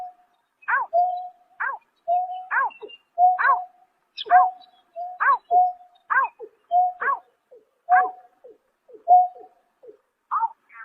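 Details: Greater painted-snipe calling on a March night in 2024: repeated bright arched notes linked to flat hoots, roughly one per second, fading to softer notes near the end. No other sounds are present.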